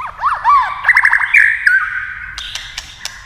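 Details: White-rumped shama in a singing contest with a TV, tail flicking; quick arched whistles run into a bright trilled flourish, followed by sharp clicks and a steady high tone.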